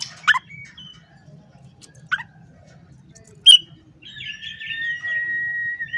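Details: Oriental magpie-robin singing in the morning to challenge rivals: a few scattered sharp chirps and thin notes, then a long, steady, pure whistle held for nearly two seconds.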